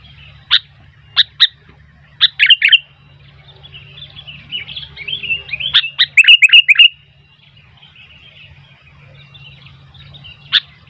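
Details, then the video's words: Sooty-headed bulbul in lively song, with wild bulbuls joining in; loud sharp notes and bright bubbly phrases around two to four kilohertz, a burst of rapid descending chirps near the middle, then a lone note at the end. "Burung kutilang gacor ..sampai kutilang liar jadi ramai"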